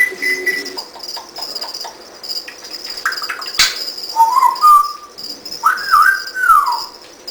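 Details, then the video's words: A two-year-old male African grey parrot at a reptile breeding facility whistles clear, tonal notes that rise and bend, including a longer swooping phrase near the end, over constant high cricket chirping and brief clicks. "TALKING PARROT!"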